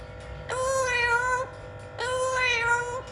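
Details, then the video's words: Pet blue-fronted amazon parrot vocalizing in two long, even, harmonic-rich calls, each about a second, steady in pitch with slight wavering, separated by a short pause; faint background hum. "Blue-font Amazon Parrot Funny Talking"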